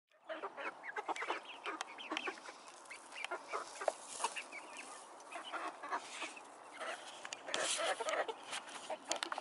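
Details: Chickens and roosters kept together in a coop: a busy mix of overlapping clucks, squawks and short cackles from several birds, with scratching and shuffling noises throughout.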